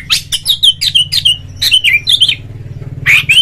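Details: Kacer, or oriental magpie-robin, in ngobra, ngeplong song used to prompt other magpie-robins: rapid sequence of sharp chips and short inflected whistles, a brief gap, then a final buzzy rising note, with a constant low hum.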